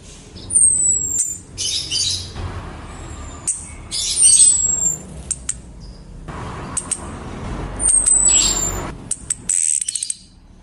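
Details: Lure recording of a female orange-headed thrush calling a male to prompt his song: thin, very high whistles that slide downward, given about every three to four seconds, between bursts of hissing noise and scattered clicks.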